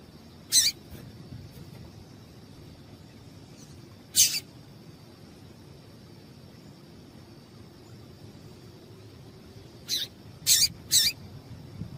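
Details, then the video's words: Female yellow-bellied seedeater call meant to make the male sing rapidly: isolated high, sharp chips, then a quick run of three near the end, separated by long quiet gaps with a steady faint high tone. "Esse Piado de Fêmea de Papa capim é Seu Papa capim Vai Ficar Cantando RÁPIDO!!!"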